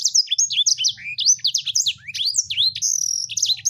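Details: Sanger bird pours out a dense, fast warbling song of sharp downward-swooping whistles, twitters and a short buzzy trill, steady throughout, with a light low-pitched hum in the background.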